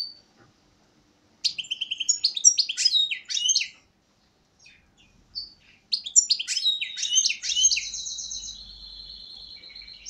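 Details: European goldfinch, a captive bird caught the previous year, singing two bursts of rapid twittering, tinkling phrases separated by a pause, the second ending in a buzzy trill.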